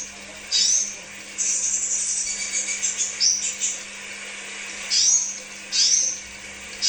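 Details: Crimson sunbird, from a lure recording for kept birds, giving scattered bursts of very high, thin notes. Some bursts are sharp upward-swept chirps and others short trills, with quiet gaps between them over a faint steady hum.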